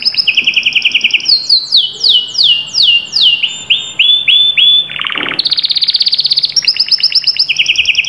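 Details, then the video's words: Hot canary song meant to prompt a quiet bird to sing: paired high and lower rapid trills, cascading downward whistles, a short deep buzzy note, then long fast trills at two pitches. "تمتلك كناري لم يغرد منذ فترة؟أسمعه هذا التحفيز 😚hot canary"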